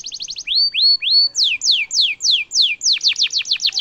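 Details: Canary song used to tutor young and adult birds and provoke rivals to answer: a fast trill of short notes, three rising upslurred whistles, then a string of loud downward sweeps ending in rapid rattling notes.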